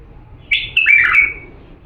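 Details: Purebred Diyala bulbul delivering a single clear, rich whistled phrase of bubbling slurred notes lasting under a second, a recording intended for teaching chicks to sing.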